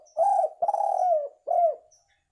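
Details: Spotted dove cooing meant for luring birds: three low, rounded coo notes, the middle one long and slowly falling, the last short and drooping, in a quiet setting.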